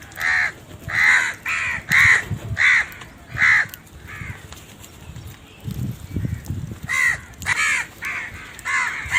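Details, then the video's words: Loud crow caws in a rapid run, harsh repeated bursts, a brief pause with low rumbling noise, then the cawing resumes quickly. "Very loud voice of Crow sound"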